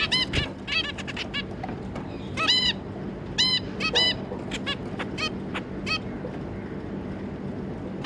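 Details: A zebra finch family, two adults plus three juveniles, 25 July 2022: bursts of nasal honking calls, crowded in the first half then sparser, with a faint knock and a steady low hum.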